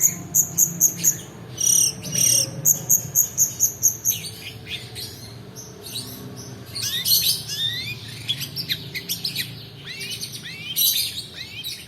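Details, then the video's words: Long-tailed shrike delivering a drawn-out roll song meant to rouse silent birds and train others: a quick series of high piping notes, then varied scratchy chatter and upward-sweeping whistles. "PANCINGAN PENTET MALAS BUNYI ROLL DURASI COCOK UNTUK MASTERAN"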